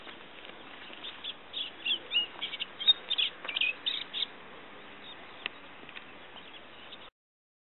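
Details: Olivaceous warbler singing at Kalloni Saltpans, Lesvos, May 2010: a short burst of quick, scratchy chattering notes lasting about three seconds, fainter and more distant, against steady background hiss with a few scattered clicks.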